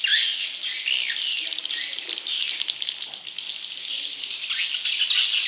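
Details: Swiftlet chick calls used to attract wild young swiftlets, a loud unbroken wash of high buzzy chirps and twitters with rising sweeps and quick rattling pulses throughout.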